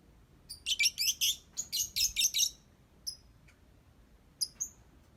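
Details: Lovebird in ngetik song, delivering a fast run of about a dozen high, dry clicking notes like typing, then scattered single chirps after a short gap.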